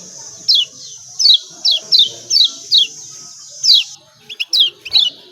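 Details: Kecial kuning, the Lombok white-eye, repeating its 'ciak' note as a calling lure for reluctant birds: evenly spaced high downslurred chirps roughly every third of a second, ending in a few quicker clipped notes.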